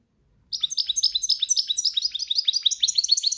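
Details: A European goldfinch in breeding season sings in campero style, a dense, steady stream of quick high tinkling notes, about four per second, with no other sounds.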